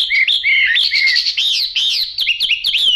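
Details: Loud, continuous song of a Chinese hwamei with yellow bill and yellow legs: rich looping whistles flowing into rapid, bouncing repeated phrases and ending on a falling clear note.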